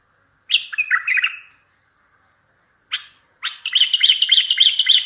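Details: Strong bulbul song for luring and trapping other bulbuls: a descending warbled phrase, a short sharp note, then a sustained, rapidly trilled series of bright notes.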